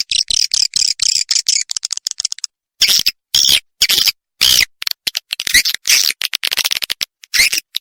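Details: Edible-nest swiftlet lure sound, meant to bring swiftlets in to roost: fast, dry ticking chatter, a silent gap, then short loud buzzy bursts and scattered rapid ticks.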